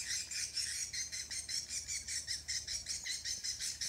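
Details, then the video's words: Swiftlets on Samui; high, thin chirps repeated in a steady pulsing rhythm, about two to three per second, with a faint low hum beneath. "swiftlet in samui"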